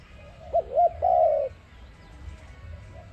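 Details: ARIMIX dove cooing for a trapping lure: one phrase of two quick hooked notes then a sustained mellow coo, followed by quiet with low background noise.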